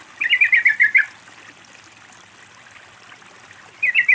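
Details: Sooty-headed bulbul (trucukan) song played to lure a silent bird into singing: a quick bubbly phrase of about eight chirpy notes lasting under a second, then a pause and the start of another phrase, over a soft background of trickling water.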